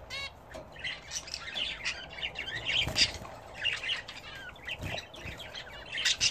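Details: Indoor budgerigars, bred as a hobby, around a bath: lively overlapping chirps, buzzy warbles and sharp squawks, rising and falling in short bursts.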